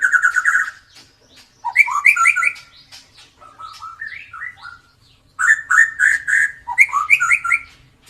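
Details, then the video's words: Song of a gacor white-rumped shama with a klewer tail, used as a training lure: quick strings of repeated bright notes, descending whistled slurs, a quieter stretch, then another rapid rattling burst of whistles. "MURAI BATU EKOR KLEWER GACOR COCOK BUAT PANCINGAN BURUNG YANG JARANG BUNYI"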